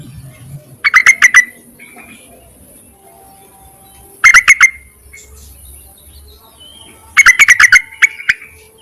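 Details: Yellow-vented bulbul calling to males, used as a lure: three bursts of about six quick, bubbly chirping notes, the bursts spaced roughly three seconds apart, with quiet background between.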